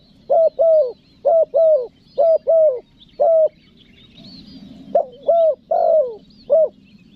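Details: Spotted dove calling in the pesom style with pressed nguku notes to attract wild doves: paired deep coos in quick succession, a brief pause with a soft murmur, then a few more uneven coos, one longer and rougher.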